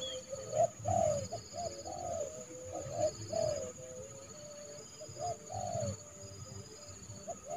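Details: A spotted dove, a trained decoy calling in wild doves to be trapped in January, gives soft, mellow cooing phrases of several hollow notes every couple of seconds, over a high electronic whine and low rumble.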